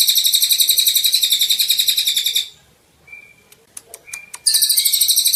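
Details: Golden-bellied gerygone in full song, a recording used to tutor other songbirds: a dense, rasping high trill ends, followed by a pause with short whistled notes and clicks before the rapid pulsed trill starts again.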